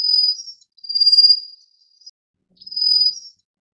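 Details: A Rufous-faced Warbler (Abroscopus albogularis) gives thin, high, steady insect-like trills: three drawn-out buzzy notes, each lasting about half a second to a second, with short pauses between.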